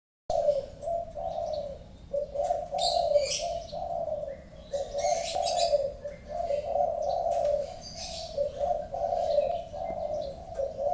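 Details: Spotted dove (tekukur) cooing steadily: soft, low, mellow coo phrases repeated back to back over eleven seconds, with faint higher chirps from other birds in the background.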